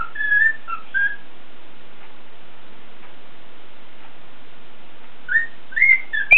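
A cockatiel sings clear whistled phrases that slide up and down, pauses, then resumes.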